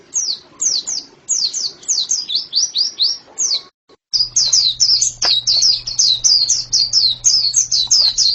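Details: A white-eye gives bright, high, falling chirps in quick series; after a short silent gap the song resumes faster and denser, over a steady low electrical hum.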